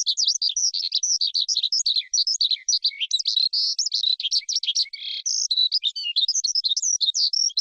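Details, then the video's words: Rich, rapid forest skylark song of the kind keepers play to rouse wild birds or train young birds: a dense, nonstop tumble of high twittering, trilling and buzzy notes, with no background noise. "Tiếng Chim Sơn Ca Rừng Hót Hay Nhất"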